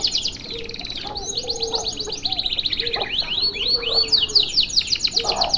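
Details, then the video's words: Long, unbroken canary masteran song: fast stuttering trills that turn into a run of clear, arching whistled slurs, with quieter low whistles and chips in the background. "MASTERAN KENARI DURASI PANJANG SATU NAFAS"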